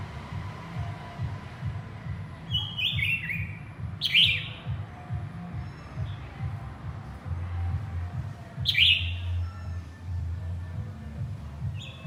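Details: Calling to its partner, a male white-rumped shama gives a short run of stepped whistles followed by two strong, sharp descending notes several seconds apart, against a low rumbling background.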